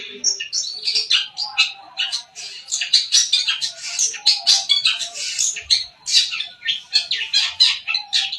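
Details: Long-tailed shrike, a white-breasted bird from Sapudi: continuous varied chattering song of rapid scratchy and whistled notes, high and dense without pause throughout.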